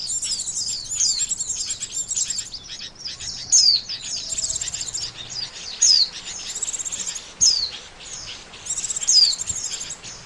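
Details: Oriental white-eye calling as a bird-trapping lure; thin rapid chatter punctuated by loud falling whistles repeating every one to two seconds.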